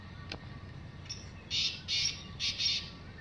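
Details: Wild black francolin calling freely in open country in the evening: a sharp click, then four or five loud, harsh, grating notes in a quick broken phrase over steady low background noise.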